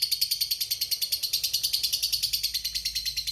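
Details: Lovebird of the fighter type giving a long ngekek trill, played to make silent lovebirds answer. A high, rapid chattering trill of about seven pulses a second runs steadily through the clip.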